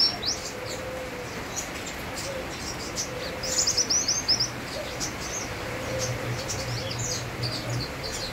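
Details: Sunbird in lively song against constant rain: scattered sharp, high chirps with a brief rattling burst of quick twittered notes midway, over soft low background hum.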